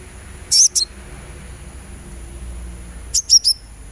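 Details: Sunbird chirping, played as a therapy sound to get a kept bird singing: two short clusters of very high, thin, quick notes, about half a second each and nearly three seconds apart, over a faint steady hiss.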